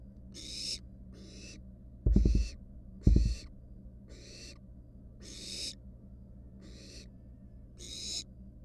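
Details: Wild barn owl nestlings at the nest, one standing on a mouse and resting. Nine coarse snoring hisses follow each other unevenly. Two loud thuds from movement fall midway.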